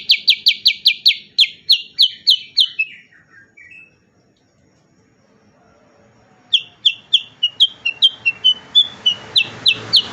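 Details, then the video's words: Cucak kurincang song used as training audio for songbirds, with rapid loud repeated chirps in quick series, a pause of near silence mid-way, then another fast run of sharp repeated notes. "burung cucak kurincang super gacor untuk masteran terbaik"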